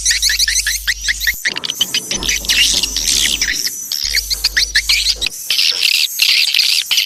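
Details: Lure sound for attracting swiftlets: a packed mass of high chittering chirps, with a deep electronic hum that switches on and off underneath.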